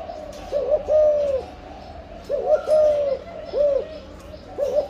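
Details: A spotted dove in breeding condition sings âm lối coos. Mellow low two-part phrases, a short upslurred note then a drawn-out downslurred coo, repeat roughly every two seconds.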